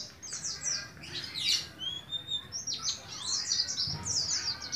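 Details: Caged juvenile Oriental white-eye from Moga in Pemalang, Central Java, practising the ngalas ngeroll song; uneven high chirps and a couple of thin whistled notes, broken by pauses.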